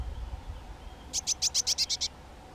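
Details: Young White-tailed Eagle, one of two birds, giving a quick even string of about eight loud, high, yelping notes near the end of a quiet stretch.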